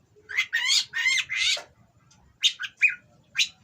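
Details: Breeding-condition Oriental magpie-robin from a breeder, singing harsh, rough phrases meant to provoke rival birds: three loud raspy, broadband notes in a row, a pause, then four shorter scratchy calls spaced about half a second apart.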